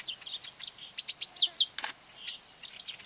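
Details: Marsh warbler attacking a phone playing its species' song, near a quarry, 9 May 2020. It gives a brief burst of sharp chips, slurred whistles and dry clicks in quick succession.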